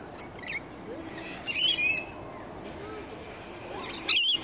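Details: Wild Rainbow Lorikeets gathering for dinner in Queensland, Australia: harsh, grating screeches in short noisy bursts, one around mid-clip and another loud burst near the end, with fainter chirps between.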